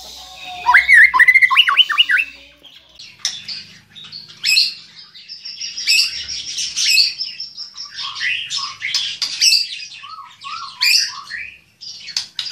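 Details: White-rumped shama singing vigorously: varied, rich phrases of bright whistles, rapid trills and harsh chattering notes, opening with a fast rising-falling trill series, then jumpy whistled phrases, some low and some high.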